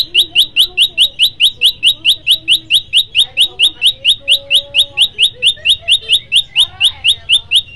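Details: Olive-backed tailorbird singing a 'shot' variation used to coax other tailorbirds into song: a long, fast, steady run of sharp upslurred whistles, more than two per second, with faint murmuring sounds beneath.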